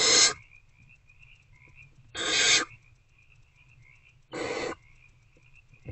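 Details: Hungry owlets in a nest box, recorded at 8:13 pm on 26 February 2024 while trying to eat a rodent: three harsh, broadband hissing screeches, each under half a second, roughly two seconds apart, over a thin steady high hum.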